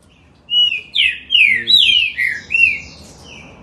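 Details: Green-winged saltator, filmed in Campinho, Rio de Janeiro, Brazil, singing a fast phrase of six loud, clear whistled notes, each sliding down, given in quick succession over about two seconds, then a softer closing note.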